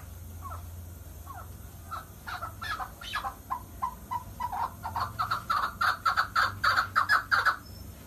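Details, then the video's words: Chukar partridge, called kabki mast and kaklik, singing: a series of clucking chuk notes, spaced out at first, then quickening and swelling in loudness into a rapid, steady run of about three notes per second, over a low background hum. "Голос птиц как поёт горная Куропатка Кеклик"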